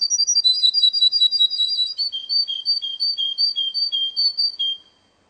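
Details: Russian canary in a singing contest delivers fast rolling trills that slow into evenly spaced, slightly lower pulsed notes before falling silent.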